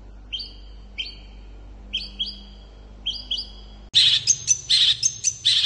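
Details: Long-tailed shrike in provoking song aimed at getting other shrikes to reply: soft paired whistled notes about once a second, then abruptly louder, harsher, scratchy phrases.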